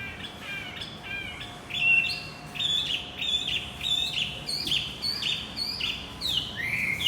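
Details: Javan white-eye singing as a lure for a male that has gone quiet: a steady string of short, high, chirped and slurred notes delivered in quick succession, with a faint steady hum underneath.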